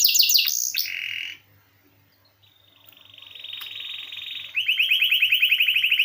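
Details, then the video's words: Canary song in the ngeroll style, used as tutoring material for songbirds: a quick trill, a softer lower buzz, a near-silent gap, then a steady buzzy trill building into a loud, fast rolling trill. "Kenari Gacor Ngeroll"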